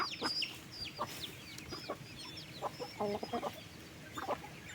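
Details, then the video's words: Farm chickens being fed in the afternoon, 15 August: scattered clucks and sharp high peeps from several birds, with a quick clustered run of clucks in the middle. "wild chicken farm feed them in the afternoon"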